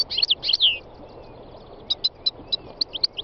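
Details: A wild European goldfinch opens with a quick cluster of liquid twittering notes, followed by sparse, thin single chirps against a constant noisy background.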